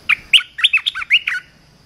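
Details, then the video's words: Loud red-whiskered bulbul song used for teaching young birds: about seven quick, bright whistled notes in a bouncy, warbling phrase, with a faint steady high hum behind. "เสียงนกกรงตาแดงEp.168 เสียงหัดนกลูกเสอ เพลงเพราะ น่าฟัง"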